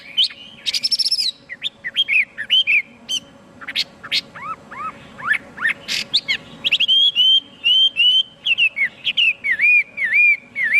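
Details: Chinese hwamei in varied, highly pleasing song: loud sweeping whistles, upslurred and looping notes and quick trills, ending in a rapid series of repeated clear whistled phrases, over a faint steady background hum.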